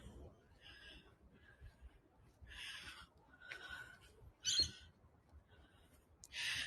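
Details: Rainbow Lorikeet giving harsh, grating screeches in short bursts every second or so at dawn on a coastal headland at North Narrabeen on 26/8/2022. A whipbird is also heard: a thin sustained whistle ending in a sharp crack.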